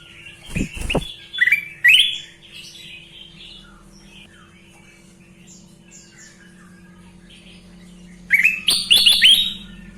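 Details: Sooty-headed bulbul (kutilang emas) in lively song: a run of bright, slurred chirps and short whistles at the start, a long quiet gap with a low steady hum, then a dense burst of loud chirping notes near the end.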